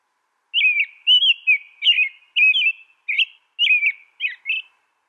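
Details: American robin (Turdus migratorius), song.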